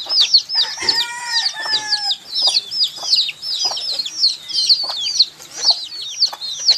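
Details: Chicks peep nonstop with high, arched chirps overlapping in a busy chorus. Near the start, a lower, longer whistled tone with harmonics sounds for about a second.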